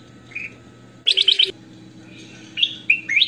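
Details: Clear-voiced goldfinch song recorded for training other birds. A soft whistle gives way to a fast run of four piercing notes, then a pause and several bright upslurred chirps toward the end, over a continuous low electrical hum.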